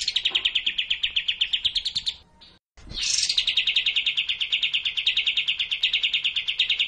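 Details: Kapas tembak bulbul singing, a master recording meant for training caged birds. A dense, fast buzzy trill runs on, breaks off for a short gap with a click, then resumes, sweeping upward before settling into a steady rattle.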